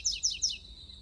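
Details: Double-collared seedeater in the bush, giving three quick, bright notes in a row, each sweeping steeply down from high to middle pitch about a fifth of a second apart, over a steady high insect drone.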